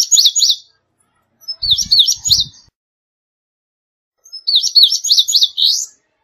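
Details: Indigo bunting singing three bright, high songs, each a quick run of sweet paired, slurred notes, separated by pauses of about two seconds; a few faint low thumps under the second song.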